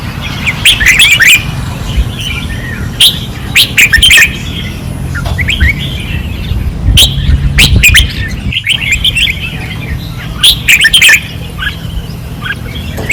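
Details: Caged red-whiskered bulbuls singing fiercely on a training perch, Pattani, 2024: many bright, fast warbled phrases overlap in bursts, with brief pauses between, over a steady low background rumble.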